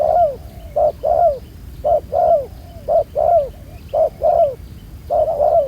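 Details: Wild-caught spotted dove with a black-spotted neck, used in ground trapping, giving soft low coos in pairs, a clipped note followed by a drawn-out downward slur, steady and close.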